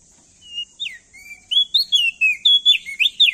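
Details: Crested darkeye male, a Nusa Tenggara endemic, singing loudly to encourage other birds to sing: soft opening whistles give way to a fast string of bright, swooping whistled notes.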